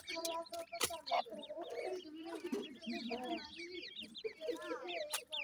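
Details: Nesting grey francolin chicks give many thin, rapidly repeated chirps with up-and-down slurs. Beneath them run lower, hoarse clucking sounds, broken by a loud click near the start.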